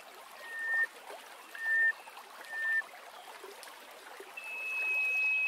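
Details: Greater hoopoe-lark (Alaemon alaudipes) singing: three clear, steady piping whistles about a second apart, then a longer, higher held whistle that swells, over a soft trickling hiss.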